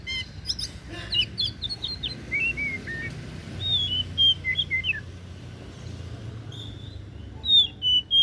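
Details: Oriental magpie-robin (kacer daput) singing: a run of clear, varied whistled notes, some rising, some falling, in quick bursts, followed by longer sliding whistles after a short pause, over a low steady background rumble.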